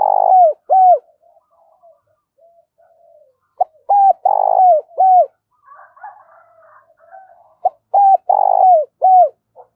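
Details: Spotted dove calling repeatedly, phrases of arched mellow coos with a long purring middle note recurring about every four seconds, with faint softer twittering and chirps between the phrases.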